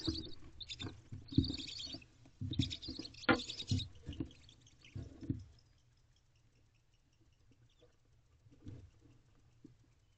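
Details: Female barn owl in a nest box at 2:30 am on 4/8/23, protecting her owlets from a threat, seemingly another owl trying to take over the box. Harsh broadband hissing bursts mixed with scuffling and heavy thumps for four seconds, then quieter scratching.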